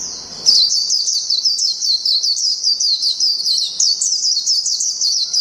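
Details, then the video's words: After a half-second low rustle, a Japanese white-eye bursts into a dense, high, fluttering ngalas song of fast repeated slurred notes. "PLECI NGALAS JAPAN NGALAS PANJANG"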